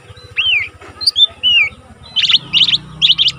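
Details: Caged young Lesser green leafbird, already singing often, used as a tutor for training other cage birds: slurred whistled notes around the start, then three quick buzzy trilled bursts, with a faint low hum beneath.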